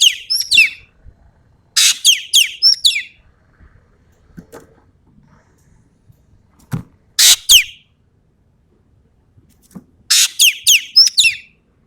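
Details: Sumatran common green magpie in full 'tembakan' song: clusters of three or four sharp, falling whistled notes, each cluster opened by a rasping burst, repeated roughly every three seconds, with faint low background noise.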